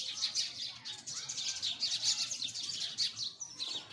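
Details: Many sparrows chirp together, quick sharp high notes tumbling over one another without pause, with a few clearer whistled slurs standing out near the end.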